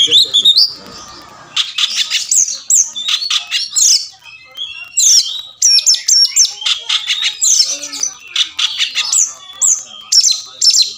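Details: A caged Oriental magpie-robin (kacer), claimed to make silent birds answer, fight and open their tails, sings a loud, varied run of sweet whistles, buzzy notes and sharp chips in quick, jumbled phrases with brief pauses.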